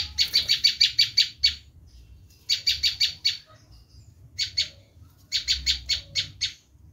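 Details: Screaming call of a bar-winged prinia, a lure sound for wild birds: four bursts of rapid, rasping chatter, each of several quick harsh notes, separated by short silences.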